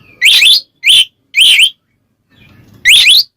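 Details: White-rumped shama (kacer) calling to draw out a rival, ngeplong style: four loud, clear whistled phrases with swooping, wavering notes, separated by short silences, faint low noise between.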